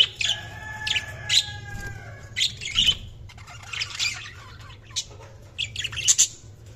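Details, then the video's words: Budgerigars chirping: a run of bright, busy chirps and warbles with buzzy squawks, a drawn-out whistled note near the start, bursts roughly every half second to second, over a steady low hum. "Budgies Sounds| Budgies Chirping sound"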